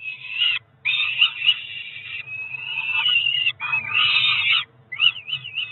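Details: Young Peregrine falcons, two ringed four-week-old chicks at Cromer in June 2023, calling throughout feeding: sustained grating screams broken by short pauses, ending in quick wavering notes, with a low background hum.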